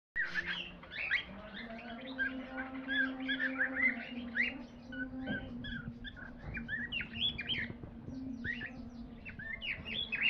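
Cockatiel chatter: a dense run of bright, quick chirps and short whistles over a steady low hum.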